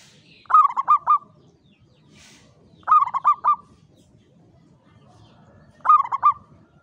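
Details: Local Javanese zebra dove in a classic Mataram cage giving klowongan-style song: three short phrases, each of three or four mellow low coos, repeated roughly every three seconds, with a faint low murmur behind.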